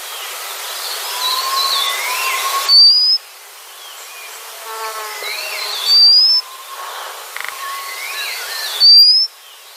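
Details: Thin, upslurred whistles from a white-capped redstart, three in sequence spaced a few seconds apart, each a bright rising stroke. Softer lower whistles and a faint buzzing hum fill the gaps.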